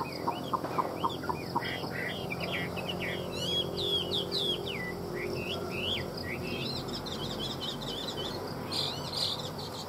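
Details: Chinese hwamei song: a few short low notes open, then a lively stream of looping whistled slurs rising and falling, some sharp upward sweeps and a brief buzzy flourish near the end, with a low steady hum beneath.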